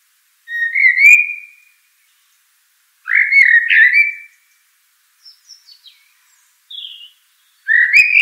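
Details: Common blackbird singing: two rich, fluty warbled phrases about two seconds apart, each ending in a slurred tail, then soft thin high notes and a short squeaky twitter at the close, with no background noise.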